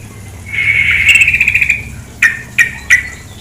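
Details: Female sooty-headed bulbul gives a hurried pulsed chattering trill for about a second, followed by three separate sharp chip notes spaced evenly, over a soft bed of running water.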